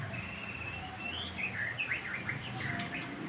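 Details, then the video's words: White-rumped shama song, used to stimulate other birds into singing: clear whistled phrases with rising and falling slurs and short sweeping notes run together continuously over a low background hum. "kicaun murai untuk merangsang agar burung gacor"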